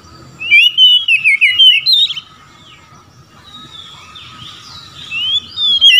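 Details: Oriental magpie-robin (kacer) singing its loud open song, said to call out a rival that other birds answer: rich whistled phrases that rise and slur, a burst of notes, a pause, then more; a faint steady hum underneath.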